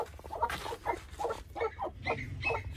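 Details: Two white Aseel heera hens brooding together in a handmade wheat nest, hatching golden buff eggs naturally without an incubator; a run of short, low, throaty clucks repeats about every half second over a steady low hum.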